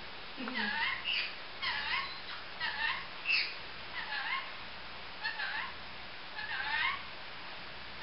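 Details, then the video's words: A pet female Olive-headed lorikeet (grey-green olive form) makes assorted noises indoors: a series of short squeaky, chattering calls with bending up-and-down notes, in clusters about every second. "Lorikeet Noises"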